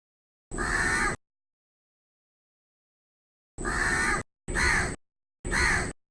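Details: One long rasping caw from a crow in a tree, then after a pause three more caws in quick succession.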